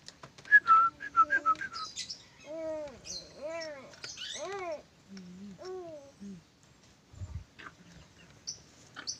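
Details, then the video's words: A lorikeet, a clever whistling pet, opens with quick high chirps, then gives a run of clear, arching whistled notes that rise and fall like a learned tune. "nuri perkici pintar bersiul"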